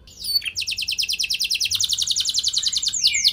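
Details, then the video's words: Canary song used to coax other canaries into responding: a brief chirp, then a long fast series of repeated falling high notes, closing with swooping whistled notes. "Burung Kenari Kondisi Apa Saja Bisa langsung Respon Dengan Pancingan Kenari Gacor Satu Ini"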